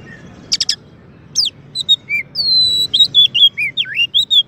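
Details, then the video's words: Champion Oriental magpie-robin song, used as master recording to tutor and provoke white-rumped shamas. Opens with a fast rattling burst, then clear whistled notes, long level whistles and sweeping slurs, several phrases per second over faint low hum. "Kacer Juara untuk Masteran dan Pancingan murai batu"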